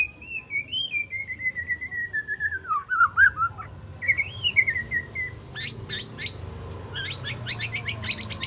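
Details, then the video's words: Spotted white-rumped shama aged three months rehearsing its song: a long, wavering whistle sliding slowly downward, a shorter rising whistle, then a rapid string of sharp, high tembakan-like notes. "Murai Batu Trotol Jahat Usia 3 Bulan Belajar Bongkar Isian Besetan & Tembakan Tajam"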